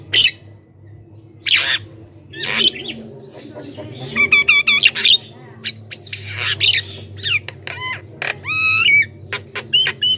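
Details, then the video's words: Javan myna singing, played to call wild mynas from the forest and get caged birds to answer: harsh squawks, then rapid chattering, clicks and clear whistled notes rising and falling, over a low background hum. "suara burung jalak kebo gacor,ocehan full bikin jalak lain ikut gacor dalam sekejap"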